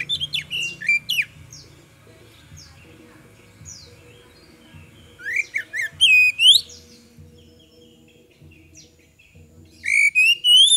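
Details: Magpie-robin lure song meant to make other birds answer: a few whistled slurs at the start, long quiet gaps with faint notes, then loud looping whistles near the middle and end over a low background hum.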